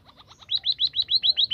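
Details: White-headed munia singing, a series of quick rising chirps repeated about every tenth of a second, growing louder after a soft start.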